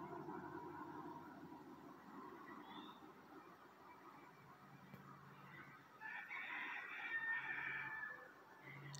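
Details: A neighbour's rooster at dawn, just before sunrise, gives one distant, drawn-out, rising-and-falling crow near the end, over steady traffic of commuters on a busy road and faint birdsong.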